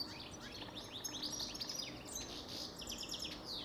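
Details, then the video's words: Goldfinch singing a fast, continuous twittering song of tinkling notes and quick buzzy trills, with steady background hiss. "Goldfinch Best Song Ever"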